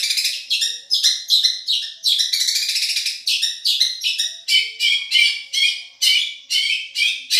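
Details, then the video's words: Long-tailed shrike from Madura, recorded as a champion tutoring song: rapid repeated chirping phrases, sharp high notes alternating with lower scratchy ones in a steady, lively rhythm. "Masteran | Suara Juara Nih!!! Cendet Madura"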